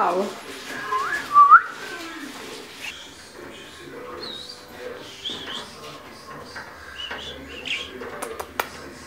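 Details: A pet budgerigar communicating with a rising whistle and scattered high chirps and warbles, with a person's voice heard at the start.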